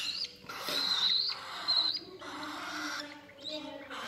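A sun conure chick gives raspy, wheezy begging bursts with thin squeaky whistles while being hand-fed.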